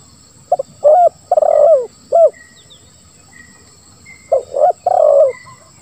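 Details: Spotted dove, 'lambung kuk 1, suara ngeruk' song style, played as a lure for silent doves. Two low phrases: clipped notes, a rounded coo, a long rough coo with a falling tail. Faint high whistles from another bird sound between them.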